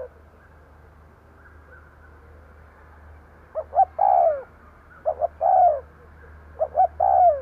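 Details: Spotted dove used as a decoy to draw in wild birds. After a quiet start come three phrases, each two brief notes and then a drawn-out descending coo, over a constant low-pitched hum.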